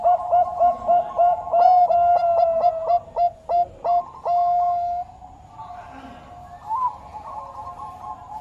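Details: Bangkok-type zebra dove singing: a run of short, clear, mellow coos repeated about three times a second, each note with a quick upward flick, ending in a longer held tone and then quieter, softer cooing.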